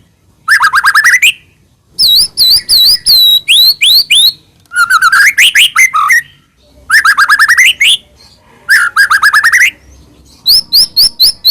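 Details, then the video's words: White-rumped shama song played as a lure to provoke another shama into singing, loud varied whistled phrases with rapid rising sweeps and trills in bursts of one to two seconds, separated by short pauses. "murai batu gacor AMPUH buat PANCINGAN murai batu agar bunyi"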